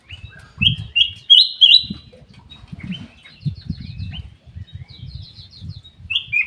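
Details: Black-capped bulbul singing in an aviary: bright whistled notes around two to four kilohertz in quick slurred pairs near the start, later rising phrases, over low fluttering and rustling with other small chirps.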